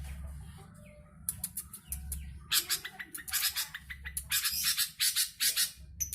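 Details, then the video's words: Newly moulted captive long-tailed shrike, darker than typical, kept in Jombang, East Java, Indonesia: after a quiet start come dense runs of harsh, scratchy chattering bursts with interspersed sharp notes, over a steady low hum. "CENDET BULU BARU HABIS MABUNG"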